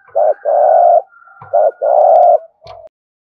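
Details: Spotted dove cooing, 'gù thổ' style, used to stimulate cooing: two loud, long, rough coos each led by a short note, with a faint steady whine behind and a final short soft coo.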